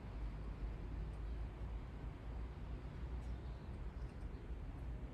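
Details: Steady low rumble of passing traffic fills the recording, with no animal voices.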